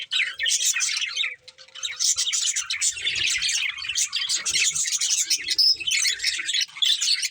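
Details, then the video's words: Budgerigars, a breeding pair, warbling steadily in scratchy, high chirps and tweets with occasional squawky notes and faint low knocks. "Cute Budgies Chirping Sounds | Love Birds Breeding Pair"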